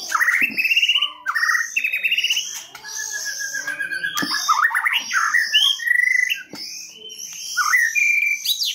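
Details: Rich, varied white-rumped shama song for luring: loud rattling trills, fluty whistles and sliding notes delivered in quick bursts, with a faint steady high whine behind.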